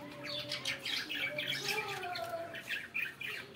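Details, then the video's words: Budgerigars chattering in the morning, dense scratchy warbling with rapid chirps and a few drawn-out whistled tones, continuous throughout. "صباحكم جميل علي صوت أجمل عصافير عصافير البادجي"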